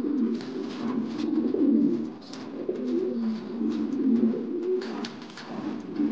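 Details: An angry male Modena King pigeon in a display performance gives low, throaty, rolling coos in overlapping bursts, with a faint sense of a small indoor space.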